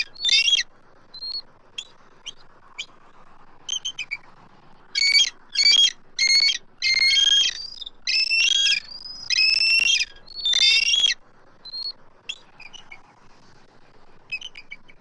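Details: Both adult eagles at a Southwest Florida nest vocalize at a circling immature intruder, 12 March 2024; loud, excited, high chattering and squealing calls in bursts, with rapid broken notes between louder runs.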